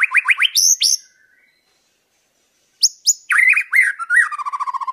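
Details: Wild white-rumped shama in nature sings clear rich whistled phrases for tutoring: rising slurred notes and sharp high chips, a pause, then a varied burst ending in rapid repeated notes.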